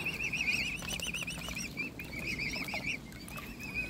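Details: Hand-fed mute swan cygnets: clear, rapid, wavering peeps follow one another almost continuously over a few seconds. Soft water and handling sounds lie beneath them.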